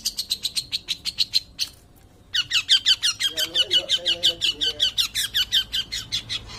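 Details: Energetic long-tailed shrike song made of rapid, high, clipped notes, roughly three per second. A brief pause comes before the run resumes, with faint lower chatter underneath midway.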